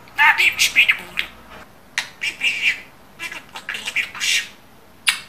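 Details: A talented Turkish-speaking pet budgerigar. A fast burst of throaty, word-like chatter opens, followed by several shorter raspy phrases and a final sharp squeak after a pause, in a quiet room.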